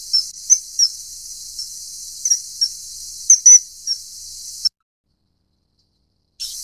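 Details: Common kingfisher giving thin high whistled calls, scattered singles and a louder double note, over continuous hiss that stops abruptly before a short silence.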